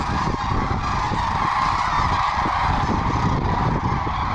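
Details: Hundreds of sandhill cranes, some 750 to a thousand birds, returning at midday from foraging to land at Willcox, Arizona, in late winter; an unbroken wall of overlapping rattling, bugling calls with low wind noise.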